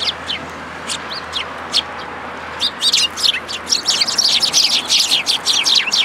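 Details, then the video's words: Sparrows arriving at a feeding spot in a plum tree at a Tenmangu shrine on 2 July 2022 for food: sparse high chirps at first, building into a dense, overlapping chatter of short sharp notes. "梅の木の餌場 餌を貰いに来る雀達"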